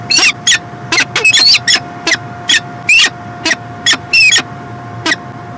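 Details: Peregrine falcon, Montreal, Canada, 2016: loud, uneven series of rasping, slightly wailing notes, some bending downward, repeated irregularly about twice a second, over faint steady hum.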